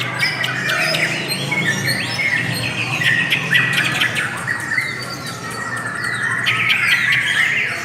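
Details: Long lovebird song: dense high twittering and sliding squeaky notes, continuous and overlapping, swelling and easing in loudness.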